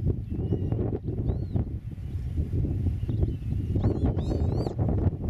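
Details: Eurasian oystercatcher at its nest in a meadow, filmed from 8 metres away during a nest survey. Late in the clip it gives a short burst of high, sharp piping notes, with strong wind rumble throughout.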